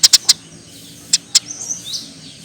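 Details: Tree sparrow masteran recording: three quick loud chirps, a pause, two more single chirps, then faint soft warbled notes in the background.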